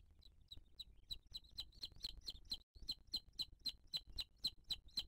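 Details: Booted eagle at its nest in 2023, filmed by a live nest camera while the female feeds her chick with another bird's chick: sharp, high calls repeated about four times a second in a steady run, with low rumbling background noise.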